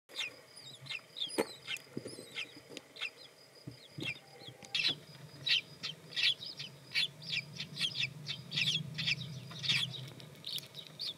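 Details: Five freshly hatched common kestrel chicks in their nest in spring, the last one out of its shell that morning, with a new parent pair. Thin, high squeaky cheeps come in quick, uneven bursts over a steady low hum.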